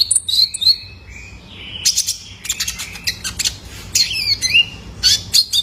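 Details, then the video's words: Juvenile male ruby-cheeked sunbird, a cage bird, calling as a lure to get other kept birds singing: high, thin chirps and short sliding whistles in quick, uneven bursts with brief pauses. "PANCINGAN KONIN BAHAN IKUT GACOR !! COCOK BUAT TERAPI KOLIBRI NINJA - SUARA ANAKAN JANTAN!!"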